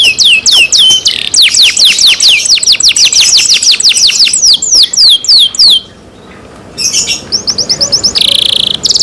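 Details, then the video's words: Canary kept by its owners, singing loudly: rapid series of high whistled notes, each sweeping downward, delivered in fast rolling tours for about six seconds, a short pause, then buzzy trills and a sustained rattling phrase. "canary Nice sound"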